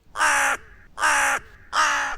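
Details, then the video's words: A crow gives three harsh, hoarse caws, each about half a second long and spaced roughly every 0.7 seconds, with a faint background hum. "правильно це голос ворони"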